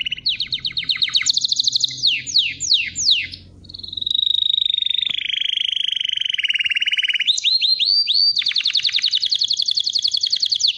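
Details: Singing canary delivers a fast trill, several steep down-sweeping notes, a long rolling buzzy tour that shifts pitch in steps, rising upslurs, then another rapid trill.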